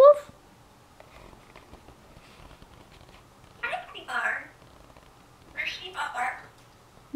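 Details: Grey parrot about one year old talking in a quiet room: two short, raspy, word-like phrases about two seconds apart, with sharp squeaky notes at the start and end.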